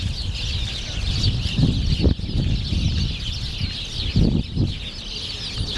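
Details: Sparrows gathered at spring puddles under the sun in a Moscow park, 3 March 2014, keep up steady overlapping high chirping. Brief bursts of splashing or wing flapping break through around two and four seconds, over constant low city rumble.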